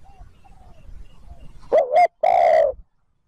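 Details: Spotted dove cooing to lure wild birds: faint distant coos first, then a loud close two-part phrase, a short wavering note followed after a pause by a long, full, steady coo, with low background rumble.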